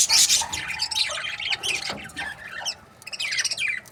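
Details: Budgie breeding pairs chirp loudly, opening with a harsh squawky burst, then fast warbled twitters and sliding whistled notes.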